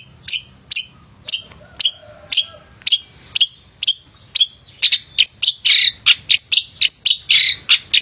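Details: Energetic male long-tailed shrike singing, used to stir lazy shrikes into song: sharp separate chips roughly twice a second, speeding into a dense scratchy warbling chatter toward the end.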